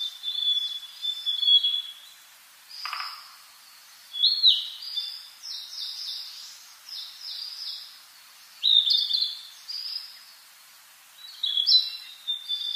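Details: Wild bird singing in a forest in early summer: high, sweet, warbled phrases with twittering notes, each phrase lasting about a second and repeated every few seconds with short pauses between, over otherwise still surroundings.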